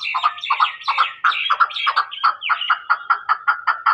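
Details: Chukar partridge in Pakistan calling with quick, paired clucking notes that settle into a steady, even rhythm of about three per second. Clean background.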